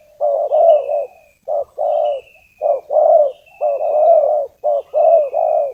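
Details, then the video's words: Spotted dove used to attract wild doves for catching: repeated phrases of low, rolling coos, a brief clipped note leading into longer rounded ones, in a steady rhythm, with faint high descending whistles. "suara tekukur pikat, memanggil tekukur liar"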